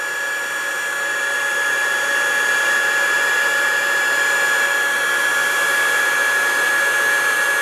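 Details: A steady, loud machine whir with a constant high hum continues throughout, with no animal sounds.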